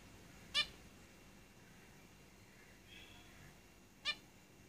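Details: Zebra finches kept in a cage utter two clipped, bright, nasal notes about three and a half seconds apart against quiet hiss.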